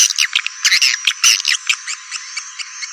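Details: Swiftlet attraction call of the 'walet naga' type: rapid bursts of high twittering chirps that fade into softer, spaced clicks toward the end.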